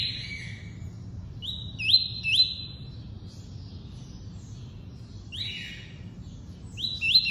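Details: Double-collared seedeater singing the tuí-tuí song type: pure whistled notes, each ending in a sharp upward flick, in short pairs separated by quiet pauses, over a low steady background hum.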